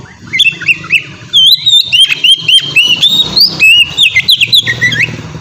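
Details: Song of a white-rumped shama, 'ngeplong' style, played as a lure for other shamas: rich, rapid whistled phrases with looping slides and bursts of chatter, over a steady low hum.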